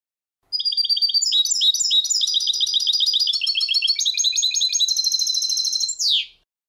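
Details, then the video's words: A goldfinch sings a fast, tinkling run of high twitters and liquid trills, the notes tumbling together for about six seconds before a final descending buzz. "Goldfinch Song"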